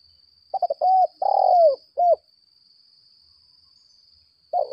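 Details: Decoy spotted dove of the lambung kuk type, used to lure and challenge wild doves, giving a short hollow cooing phrase of stuttered then drawn-out low notes, a pause, then a new phrase beginning, over a steady high electronic whine.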